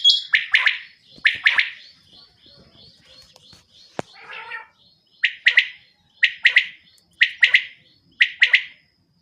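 California Quail giving sharp three-note calls, about one per second, with softer chips between phrases and a single click.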